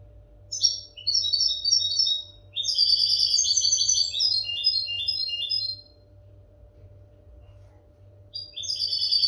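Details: European goldfinch song used for tutoring captive goldfinches: two bursts of fast, tinkling, twittering notes high in pitch, a rapid jumbled run from about one to six seconds, a pause, then a fresh burst at the end; faint steady hum behind.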